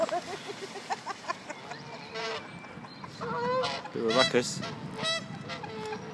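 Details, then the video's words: Ducks being fed quack in a busy, overlapping chorus of short nasal calls, some rising into louder honking bursts, with a person's voice speaking in the background. "Quacking ducks"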